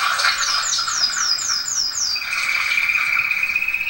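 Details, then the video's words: Domestic canary singing, a tutor song to teach other canaries: six quick descending slurred whistles repeated about every quarter second, then a long steady high trill. "canto do canário do reino ,para ensinar canário."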